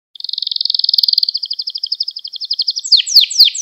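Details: Canary lesson song for young canaries: a long, fast, even trill of high pulses lasting nearly three seconds, ending with loud rapid downward sweeps.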